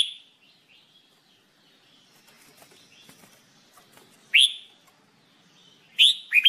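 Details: Red-whiskered bulbul, known locally as jambul bulbul, recorded for singing training: a bright opening chirp, then a quiet stretch with faint twitters before two loud, sharp, downward-sweeping chirps near the end, the last followed by a quick double note.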